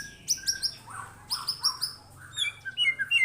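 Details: White-rumped shama responding to a lure recording: clusters of very high, sharp chirps interleaved with lower swooping notes, followed by a quick string of varied twittering phrases.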